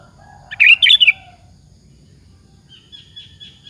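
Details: Sooty-headed bulbul song meant to provoke other bulbuls to answer: a quick, bright, gurgling phrase of two bursts, then a faint, wavering high whistle, with low background rumble.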